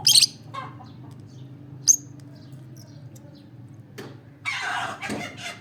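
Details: Olive-coloured peach-faced lovebird giving short, shrill, harsh chirps: a loud burst at the start, another sharp note near two seconds, then a broad rustling, scratchy noise toward the end over a low steady hum.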